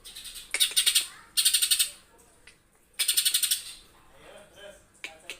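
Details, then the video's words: Green leafbird in songbird-competition style, delivering harsh 'tembakan kasar' (rough shot) bursts: three loud rasping volleys of rapid, buzzy pulses, each about half a second long, separated by brief pauses with faint chirps between. "SADISSSS full TEMBAKAN KASARRR Idola juri"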